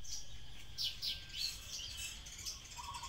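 Common Tailorbird giving short, sharp high chirps in quick irregular bursts over a low rumble, with a faint steady buzz near the end.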